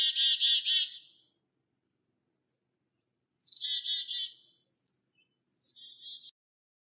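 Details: Bewick's wren at a nest box it has just discovered, making many trips with nesting material; harsh, buzzy rasping calls in three bursts, the first two about a second long, then a thinner buzz.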